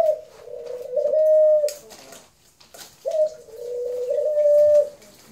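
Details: Two drawn-out dove coos, each about one and a half seconds long: a brief higher opening note dipping into a level, hollow hum, separated by a pause with a soft knock.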